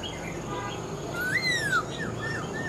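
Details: A single long, bright whistle from a caged, wild-caught old Black-throated laughingthrush, rising and then sliding slowly downward, with faint softer notes around it.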